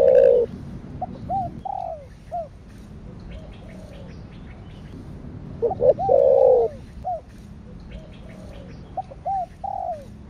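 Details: Spotted dove cooing in the style called "thổ đặc thúc kích bổi" or "thổ sấm". A loud, low, burry coo phrase opens and returns near six seconds. Between the phrases come softer, curved, falling coo notes from a second dove.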